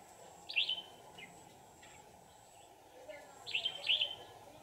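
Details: Red-whiskered bulbul trapped and later set free; two bright whistled phrases, one at the start and a double phrase after a pause of about three seconds, over constant low background hum.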